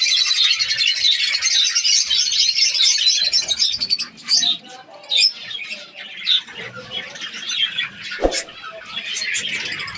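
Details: Many budgerigars in an aviary breeding colony in Pakistan, breeding season, produce a thick wall of high chirping and warbling that thins after four seconds into scattered squawks and chirps, with a brief knock near the end.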